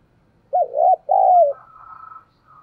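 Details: One low spotted dove coo from a decoy bird of the giọng thổ style, meant to trigger quick cooing in wild doves; a wavering opening note and a longer descending coo, followed by a faint higher hum.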